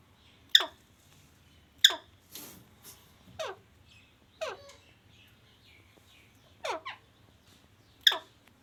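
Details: Pet parrot kept indoors, said to be talking, gives loud sudden falling squawks at uneven intervals, separated by near-silence and a few softer rasping notes.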